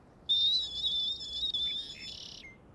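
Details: Male red-winged blackbird in a territory where a sharp-shinned hawk hunts, giving one sustained high buzzy trill of about two seconds that ends in a short falling note, over quiet background.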